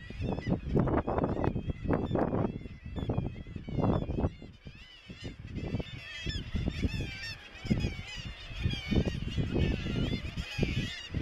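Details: Razorbill (Alca torda) giving deep, rasping growls in quick bursts at Bempton Cliffs, East Yorkshire, 21 May 2017, with thin, higher calls from other seabirds across a busy cliff colony.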